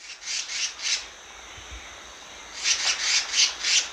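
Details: Black-naped monarch giving harsh, rasping, saw-like notes in two groups of about four, each note a broad buzzy burst, with a quiet low thump between the groups.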